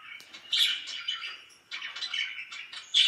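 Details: Loud pet budgerigars giving scratchy warbling chirps, a sudden sharp squawk at the start, quieter chatter in between, and another harsh call at the close.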